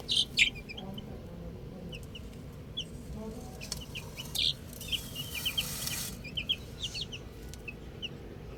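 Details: Little chicks playing with a ball peep sparsely, with scattered short high notes, a louder cluster near the start and middle, and a brief rushing noise partway through.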